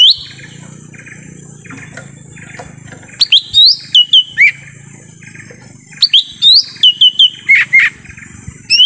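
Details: Lesser green leafbird recorded in forest as a lure sound to draw wild birds: after three quiet seconds of soft background chirring, bursts of loud, sharp rising whistled notes, often paired, with quick falling slurs.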